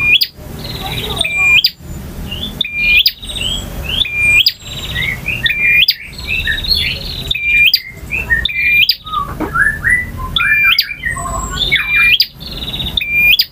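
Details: Varied song of a male bar-winged prinia, described as full variation in ngotot, ngalun and kristal styles: fast high chirps and buzzy trills with sharp upward notes, phrases tumbling roughly every one to two seconds.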